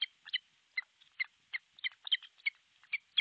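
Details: Osprey at an artificial nest in Pohjois Satakunta, Finland, recorded by nest camera on 6 July 2023 around 12.31; sharp, high whistled notes, often doubled, repeated roughly every third of a second throughout.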